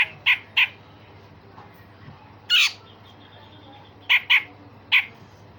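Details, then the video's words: Grey-cheeked bulbul with rough 'besetan kasar' and sharp 'tembakan tajam' calls, meant for training songbirds: scattered loud harsh notes, singly and in pairs, with a short faint whistle between them. "Cucak jenggot Besetan Kasar dan Tembakan Tajam"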